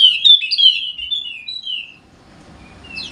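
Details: Wallacean white-eye from Sumbawa, golden-headed, singing to stir silent birds: a quick run of high sweet slurred notes over two seconds, followed by quiet and a single thin rising note.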